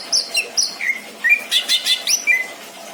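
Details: Pet greater green leafbird in a home collection, delivering a full, varied song: sharp high whistles, descending slurs and a burst of buzzy chattering notes in quick succession.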